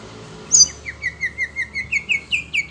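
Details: Oriental magpie-robin (kacer), a caged bird agitated on hearing other birds, delivers a loud upslurred whistle, then a steady series of rising two-note whistles, roughly five per second, growing louder toward the end.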